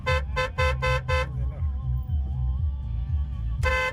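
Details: Rhythmic music with repeated horn-like tones over a low pulsing beat, with no animal voices.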